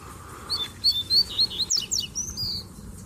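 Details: Male Rusty-collared seedeaters, kept in cages, singing with a female nearby; a series of short whistled notes repeated about four per second, a click, then rapid descending sweeps and a long upslurred whistle.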